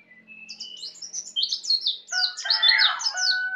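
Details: Young native Bali white-eye learning ngeplong song: a long series of fast, high-pitched slurred chirps, about two per second, building louder, with a rich lower warble joining in the second half.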